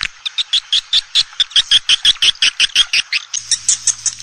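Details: Swiftlet lure call meant to draw the birds into a bird house: a steady series of short, sharp chirps, close to three per second. A low steady hum enters near the end.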